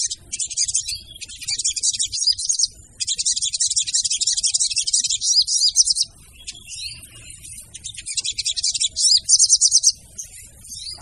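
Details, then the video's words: Female sogon voice used as bait: near-continuous high, fizzy, rapidly pulsed chatter in long bursts, broken by brief pauses and a few thin slurred notes. "PANCINGAN SOGON TER AMPUH DENGAN SUARA SOGON BETINA!!!"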